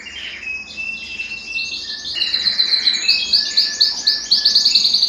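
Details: Belgian canary male song for stimulating males and bringing females into breeding condition: soft sustained whistled tones at first, then a louder rapid pulsed trill repeating steadily to the end.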